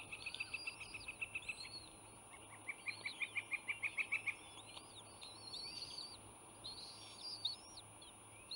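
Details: At the Sauces bald eagle nest, Channel Islands National Park, 06:43 on 11 April 2018, as an adult brings fish to the chicks: two quick runs of high, thin piping notes amid squeaky chirps and low hum.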